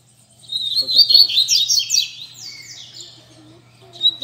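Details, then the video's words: Rusty-collared seedeater (coleiro) singing among several caged birds on a Sunday morning: after brief quiet, dense bright trilled notes, then clearer downslurred whistles and softer chips trailing off. "Barderna de Coleiro Entre Amigos!!! Top Pra Esquentar seu Coleiro!!!"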